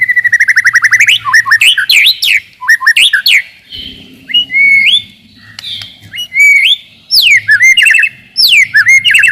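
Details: White-rumped shama song to rouse rivals and test the mental toughness of young birds: fast rattling series and varied slurred phrases, then a pause and loud rising whistles with scratchy ornaments.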